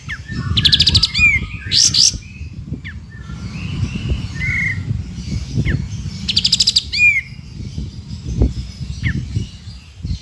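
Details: Sooty-headed bulbul in lively ngepik beset song for tutoring white-rumped shamas: two rapid rattling trills with falling whistles, then quieter notes, over steady low rumbling background noise.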